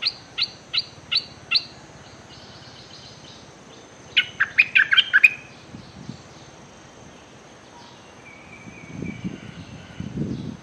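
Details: Bulbul decoy threatening nonstop while luring wild birds, 24/06/2023: a row of four high sharp notes, then a dense burst of rapid chattering chirps, later soft rustling noises.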